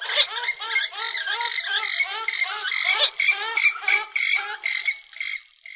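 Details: Purple swamphen calling in a fast chattering series of nasal, buzzy notes, dense at first, then breaking into separate, louder, squawking calls with small gaps between them.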